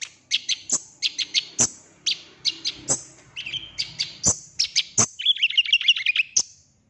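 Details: Golden-fronted leafbird in full song, used as a trigger recording to get a kept bird singing and showing its mimicked repertoire; rapid, high, sharp chirps and whistled notes in quick varied bursts, ending in a fast warbling trill.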